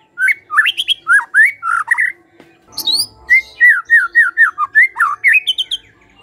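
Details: White-rumped shama in lively song: a varied series of loud, clear whistled notes, many sliding up or down, given in quick separate phrases with a short pause midway, plus a few high sharp notes.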